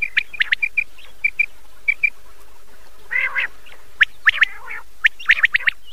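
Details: Night calling of common quail from an old cassette recording: evenly spaced pairs of short chirped notes, then a harsher rasping burst and louder clustered notes near the end, with tape hiss throughout.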